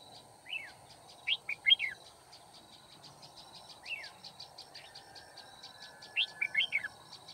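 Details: Red-whiskered bulbul giving a combative duel song at a trapping site in Kim Bôi, Hòa Bình, 9 February 2019: clusters of quick descending slurred whistles in separate phrases, over a steady ticking series from another caller.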